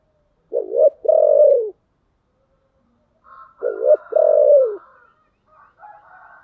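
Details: Decoy spotted dove with a 'giọng thổ đặc' voice, calling to lure wild doves: two deep cooing phrases, each a short stuttered note then a long falling coo, about three seconds apart, with faint higher chatter afterwards.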